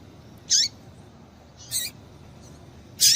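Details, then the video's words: A female double-collared seedeater gives calls meant to excite a male. There are three high, piercing chips, roughly one per second, each with a short downward tail, over quiet surroundings. "Piado de Fêmea de Coleiro Para Esquentar Coleiro"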